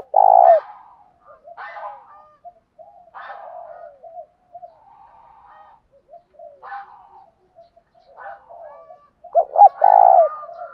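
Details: Spotted dove decoy calling to urge fighting, in the thổ pha voice: a strong coo opens, then quieter scattered soft notes and short clipped sounds follow, and a loud stuttering double coo closes the sequence.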